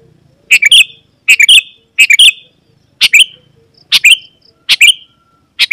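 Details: Sooty-headed bulbul in lively song to call wild birds of its kind closer: fast series of chirpy two- and three-note phrases with slurred whistled tails, about one each second.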